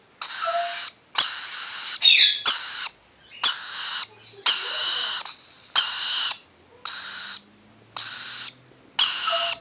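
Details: Harsh, raspy hissing screeches come from rainbow lorikeet chicks nearly seven weeks old during a scratch, in a steady series of about nine bursts, each half a second to a second long.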